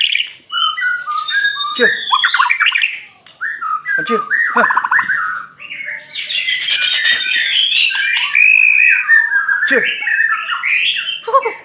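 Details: Aceh white-rumped shama delivering a busy varied song of squawky chattering phrases, whistles and rasping notes in rapid succession with short pauses, continuous and loud through most of the recording.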